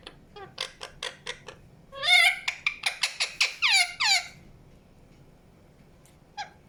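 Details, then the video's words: Indian ringneck parakeet uttering thin, clicky chirps that quicken into a loud burst of rapid squeaky notes, then falls silent apart from one short call. "PARROT CHIRPING SOUNDS | NATURAL SOUNDS PARROT CHIRPING"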